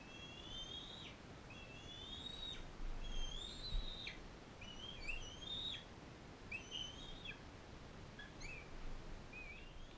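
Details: Bald eagles in care, a non-releasable adult female fostering a young bald eaglet from Powell River. A run of thin, high whistled notes, rising and ending in sharp downward flicks, comes in quick bursts and then fades into shorter chirps, over low background rumble.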